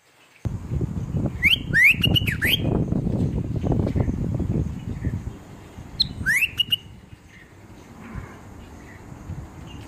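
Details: Bulbul giving short whistled notes, quick rising and falling slurs in a cluster near 1.5 to 2.5 seconds and another pair near 6.5 seconds, over steady low rumbling background noise.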